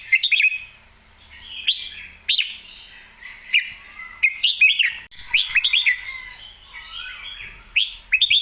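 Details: Red-whiskered bulbul singing clearly and energetically, ready to compete: bright, liquid warbled phrases with quick rising and falling whistles, repeated in bursts separated by short pauses, with sharp clicking taps between phrases.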